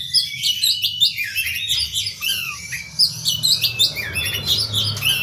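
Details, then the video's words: Oriental magpie-robin fighting song, used as a lure: a dense, fast run of varied high whistles, sharp chirps and buzzy notes with brief downward slurs, almost without pause, over a faint low hum. "suara kacer tarung untuk pancingan"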